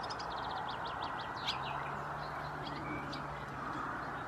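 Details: Cirl bunting in Croatia: a quick run of high, dry, evenly repeated notes early on, followed by scattered thin chips, all over a steady rushing background noise and a low hum.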